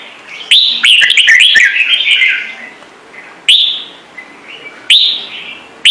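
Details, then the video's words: Ornamental red-whiskered bulbul in Trung Mang song: a long run of quick, bubbling whistled notes, then single clear downslurred whistles about every one and a half seconds. "CHÀO MÀO | Trung Mang hót giọng chuẩn cực hay - Bổi nghe là hót"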